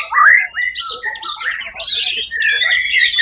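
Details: White-rumped shama (murai batu), first-place winner at a songbird competition held 1 October 2023, singing loud varied phrases: rising whistles and buzzy slurred notes jumping between low and high pitches, with short pauses.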